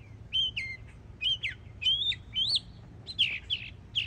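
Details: Yearling Northern mockingbird singing in Florida: clear whistled phrases that slur up and down, each repeated two or three times before the next pattern begins, against quiet low background noise.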